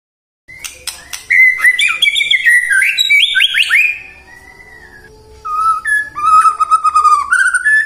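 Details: Lure song of a white-rumped shama for morning, midday and afternoon singing: a fast jumble of sharp clicks and rising whistled notes, a brief pause, then clear level whistles stepping up in pitch.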